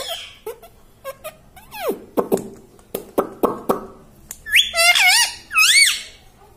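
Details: Household talking parrot first makes a run of sharp clicks and short taps, then finishes with three wavering, harmonic, word-like squeals; it is said to say "mummy" and "papa".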